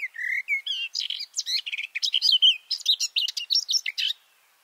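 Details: Garden warbler male singing hidden in a bush, captured from about two meters below: low mellow opening notes run into a fast, continuous babbling warble of clear and scratchy phrases, ending abruptly in silence.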